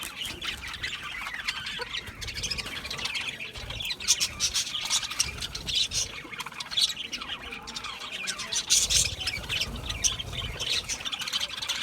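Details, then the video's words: Budgerigars chirping at length, a flock keeping up constant scratchy warbling, squawks and high squeaky chirps that overlap without a break. "Budgie Parrots Budgie Parrots Chirping sounds"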